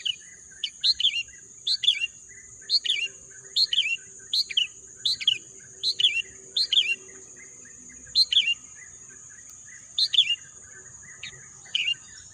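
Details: A bird sings short, sharp chirping phrases against green nature, around sixteen bursts in twelve seconds, bunched close at first and then spaced out. A constant high-pitched whine and soft background twittering fill the gaps.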